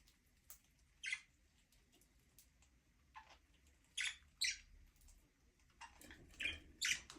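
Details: Budgerigars, Australian parrots, singing and playing in their aviary; short bright chirps and scratchy squawks come in scattered bursts, several close together near the end, over a low background hum.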